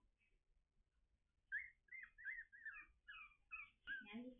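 Young common ravens give high, squeaky, whistled calls, several overlapping notes rising and falling in quick succession. A person's voice comes in near the end.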